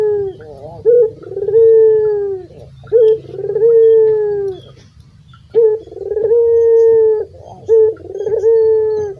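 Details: Barbary dove of a local Indonesian strain with a thick, sweet voice, used as a lure for doves that have stopped singing. Repeated phrases each open with a sharp rising blip, then a long rolling coo that sags gently in pitch.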